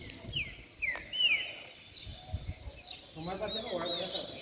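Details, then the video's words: Caged canaries, several kept together, give a few bright downslurred whistles and a short rising trill, then a man starts talking over the birds. "Canário Na Baderna Top Canto e Fibra!!!"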